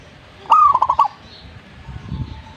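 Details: Zebra dove in full song (gacor) gives one short phrase of rapid staccato cooing notes that settles into a brief steady tone, followed by quiet background rumble.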